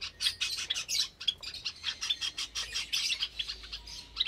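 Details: Caged Java sparrows with newly hatched chicks in an aviary, Sunday morning in May 2022: dense, continuous chatter of high chirps and squawky notes from several birds, with barely a pause.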